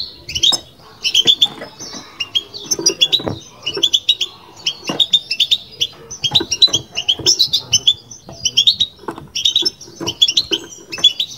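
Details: Long run of batbata song from a caged European goldfinch: dense, liquid twittering at high pitch, repeated in quick bursts separated by short gaps, with faint low knocking.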